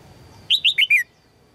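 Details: A single rapid phrase from a female red-whiskered bulbul calling to attract a strong male: four bright, clipped notes, each sliding down in pitch, with the last one lowest, all within half a second.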